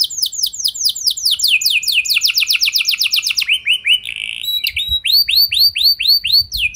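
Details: Canary singing as a lure to make other canaries sing along: quick trills of falling notes, a brief buzzy phrase, then a slower run of rising-falling whistled notes.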